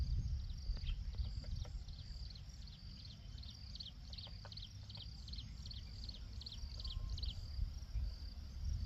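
Greater flameback gives a series of about fifteen sharp, high, even notes, two or three a second, over a steady low rumble of wind.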